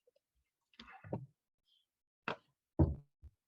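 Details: Scattered knocks and dull thuds sound in a quiet indoor space, with no animal voice.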